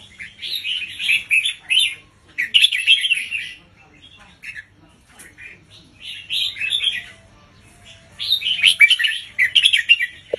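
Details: Caged red-whiskered bulbul teacher bird delivering a slow, clearly spaced doubled song to teach young birds; four bursts of dense, rippling warbles, each about a second and a half long, separated by quiet gaps.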